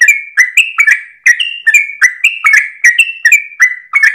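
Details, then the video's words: Sooty-headed bulbul at early dawn, tail wagging, delivering long 'ropel' song meant as a tutor for other birds; ringing whistled notes alternate high and low in quick, steady phrases, each starting with a sharp click-like onset. "GOYANG EKOR trucukan gacor ropel panjang saat subuh pagi hari"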